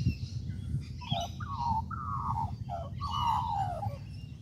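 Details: Australian magpie in a tree at Kings Park, Perth, Western Australia, delivering clear mellow carolling notes that slide downward in two grouped phrases, with softer higher twitters above and low background rumble.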